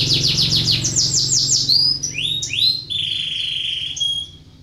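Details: Canary in breeding condition singing as a lure for other canaries: a loud, rapid descending trill, then rising whistled slurs and a long, steady, high whistle fading at the end, over a low hum.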